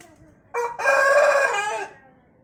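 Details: Pelung chicken rooster from Sukabumi, Indonesia, a breed prized for a long melodious crow that lengthens as the bird matures: a brief rasping start, then a sustained harmonic crow lasting over a second that fades out.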